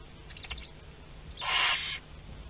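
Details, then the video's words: Barn owl chicks aged two to twelve days at a group meal in a nest at Théding, France, on 29 April 2021, giving one short harsh hissing burst after a few faint clicks. "Repas de groupe (2-12 jours) - 29/04/2021 - Les Chouettes Effraies de Théding"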